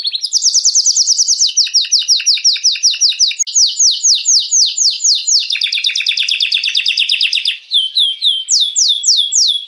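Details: Canary song meant to excite hens for mating. Loud, rich tours of repeated descending whistled sweeps shift between fast and slower series, with a dense rolling trill in the middle and spaced slurred notes at the end.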